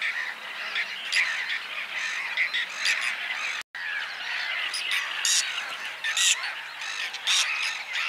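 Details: Dense chorus of harsh, rasping whiskered tern calls with a brief silent break midway, louder scratchy bursts later on.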